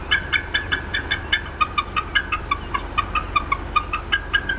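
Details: Mother bald eagle upset at her Decorah North nest in April 2016, possibly reacting to something in her area; evenly spaced short high clucks repeat about four per second throughout, over a low steady drone.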